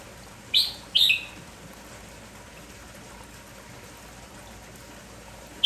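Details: Morning song of an energetic village-type red-whiskered bulbul: two crisp, high chirped notes close together, then quiet except for background hiss until another note starts at the end.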